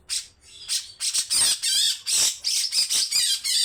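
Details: Grey-cheeked bulbul giving coarse 'besetan' calls: a couple of scratchy opening notes, then a dense run of loud, hissing, rasping bursts with almost no pause.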